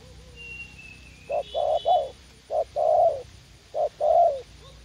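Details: Cooing in a U Minh garden during spotted dove decoy trapping: clipped short notes and longer rough coos in three phrases, with a faint high whistle from another bird in the background.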